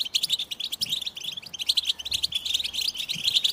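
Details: American goldfinch song: dense, continuous high twittering with rapid chirps and short buzzy notes overlapping throughout, sounding like several birds singing at once.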